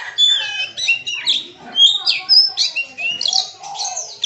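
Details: Kacer, the Oriental magpie-robin, delivering its full 'isian' medley of imitated phrases: a continuous stream of sharp whistles, trills and chattering notes changing every fraction of a second, with other birds' voices in the background.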